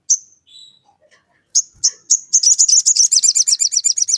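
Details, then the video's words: Prolific sogon calling a rival to provoke other sogons to sing, in ngleper style: a few separate high, piercing chirps, then a rapid run of sharp notes at about four per second. "SOGON GACOR MEMANGGIL LAWAN, UNTUK PANCINGAN SOGON AGAR BUNYI"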